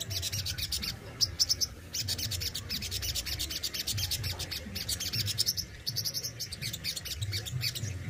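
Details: Kept Crimson Sunbird (sogon) delivering besetan and tembakan song: an almost continuous, very rapid high-pitched chattering trill with brief gaps. Low steady background hum throughout.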